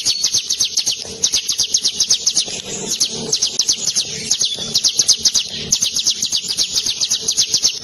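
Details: A Javan sunbird, used as a song tutor for kept birds, pours out a long, unbroken rolling song of high, thin, rapid notes, about four a second, with no other clear sounds.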